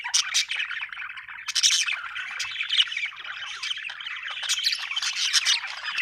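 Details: Cheerful budgerigar chatter: an unbroken stream of warbled, grating notes with loud chirpy bursts near the start and the middle, a clean background.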